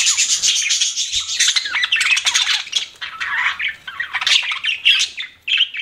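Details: Several pet budgies keep up a constant buzzy, warbling chatter, mixing grating squeaks and quick chirps that rise and fall in loudness with hardly a pause.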